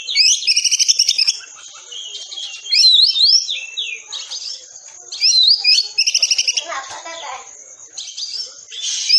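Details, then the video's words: Dense rapid-fire training song of an Oriental magpie-robin for caged birds: rattling trills of repeated notes alternate with zigzag whistles, backed by a constant high-pitched hum. "Masteran Kacer Tembakan Rapat"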